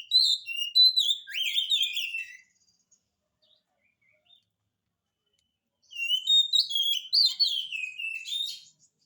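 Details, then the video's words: Oriental magpie-robin in lively 'gacor' song used to goad silent birds into replying: a dense phrase of whistles and chirps, several seconds of silence, then another rapid varied phrase. "kacer gacor, cocok untuk pancingan kacer malas bunyi, jamin 1000% langsung nyaut"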